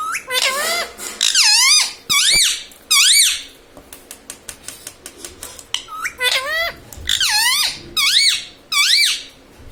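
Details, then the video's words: Talking pet parrot saying "mummy", "papa" and "radhe radhe"; loud, shrill, voice-like syllables that dip and rise in pitch, delivered in quick runs of two to four words with brief pauses. "parrots talking papa"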